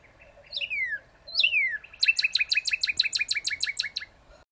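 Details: Northern cardinal song, close and clear: two whistled notes sliding sharply downward, followed by a rapid, even trill of about fifteen short repeated notes.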